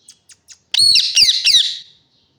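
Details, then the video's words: Parrot calling: three soft short clicks, then a harsh, buzzy squawk of about one second with two or three pulsing bursts, high and noisy. "Parrot Sounds"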